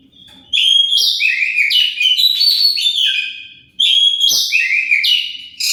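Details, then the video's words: Song of an Oriental magpie-robin used to make rival birds answer: two long, loud bursts of rapid, varied whistles, some sliding, others buzzy, with a barely paused break between them and no other sounds. "Pancingan Kacer pasti nyaut"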